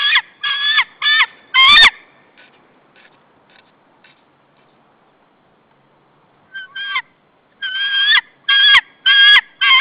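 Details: White-tailed eagle near its nest, 15 April 2013, alarmed by intruders near the nesting territory: loud sharp yelping calls in clusters, a burst of four, a pause with faint notes, then another run of yelps, plus a few clicks.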